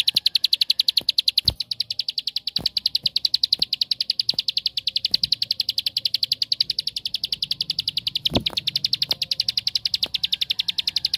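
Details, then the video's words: Unbroken, rapid series of sharp high chips, roughly three to four each second, from a bar-winged prinia (ciblek sawah), used to goad other prinias into song. Occasional clicks and knocks sound beneath. "Suara Tembakan Ampuh Untuk Pancingan Ciblek Sawah Anda"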